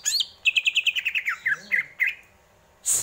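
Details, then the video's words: Greater green leafbird delivering a fast string of clear chirps that start high and step down in pitch, then two separate slurred notes, then a sudden high hiss. "Burung cucak ijo, bikin adem indah dengarnya"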